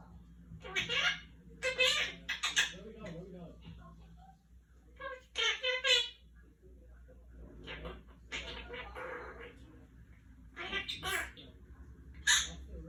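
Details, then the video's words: A pet Quaker (monk) parakeet talks indoors during a peek-a-boo game, chattering imitated words in short, bright bursts, about eight phrases with brief pauses, over a low hum. "Quaker parrot talking"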